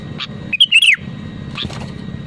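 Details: Sooty-headed bulbul in full, persistent song, a recording of its real voice meant to prompt other bulbuls to sing: one brief phrase of quick, bubbly, slurred notes falling at the end, over a steady low hum.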